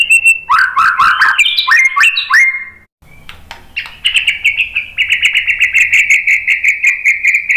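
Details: White-rumped shama song meant to get other birds singing: jumbled whistled and rising notes, a brief quiet spell, then a long even chain of quick repeated chirps.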